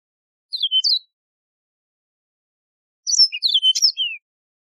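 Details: Yellow-fronted canary, known in Algeria as Mozambique serin, a wild canary: two short bursts of high, sweet twittering notes with downslurred whistles, separated by a two-second pause, on a clean, quiet background.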